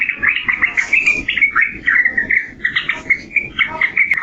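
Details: Yellow-vented bulbul uttering a steady series of short whistled notes, about three per second, with slurred downward inflections and a faint sharp click near the end.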